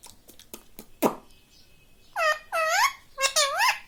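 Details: Pet rose-ringed parakeet indoors repeating human words like "mummy": three clear, bending, nasal syllables near the end, after soft clicks and tapping sounds at the start.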